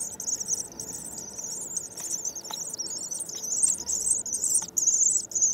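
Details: Common swifts back from migration on 9 May give a continuous shrill, buzzy trill, very high and unbroken, with slight wavers in pitch and a few faint ticking clicks beneath.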